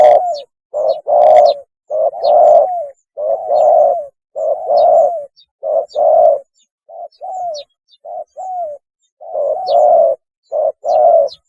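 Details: Spotted dove mating call used as a lure: a dense run of husky low coos, short and long notes alternating in quick succession, some brief softer notes mid-sequence; no background noise.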